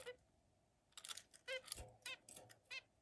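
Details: Zebra finches playing together give short, nasal, toy-trumpet calls, about seven quick beeps in three seconds from more than one bird, in a quiet room.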